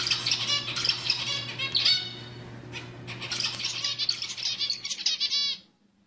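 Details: Zebra finch song for prompting females to mate: steady chattering of high, buzzy, trilled notes with brief pauses, over a low electrical hum, fading out near the end.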